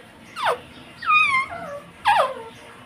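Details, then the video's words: Pet rose-ringed parakeet mimicking "mummy" and "papa": three voice-like, downward-sliding utterances, the middle one longer and drawn out, against low background noise. "मम्मी - पापा बोलने वाला मिट्टू"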